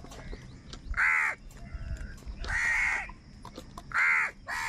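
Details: Three loud, hoarse caws, each about a third to half a second long and spaced over a second apart, come from crows fighting for food, with fainter calls between them.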